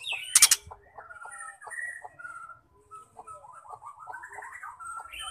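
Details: Female white-rumped shama, whose voice is used to excite male shamas into song: a loud harsh burst opens, followed by soft short whistles and a rising, wavering warble toward the end.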